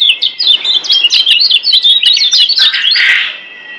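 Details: Lombok white-eye (kecial kuning) training song: quick, high-pitched twittering notes jumbled tightly together, ending in a rougher, buzzy chatter before fading out.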